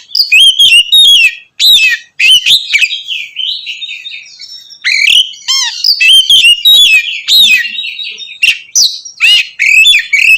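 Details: Continuous loud ngeplong singing by an Oriental magpie-robin to provoke others of its kind, with clear whistled notes, rapid chirp sequences and rising slurs pouring out almost without break.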